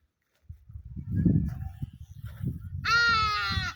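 A Hadada Ibis gives one loud, nasal, braying 'haa' near the end, after nearly three seconds of low rumbling wind or handling noise.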